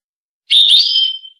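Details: Goldfinch in Tunis singing in the Rasta Torka style. A burst of scratchy, buzzy notes melts into a clear, slightly rising whistled tone that trails off quickly. No background noise.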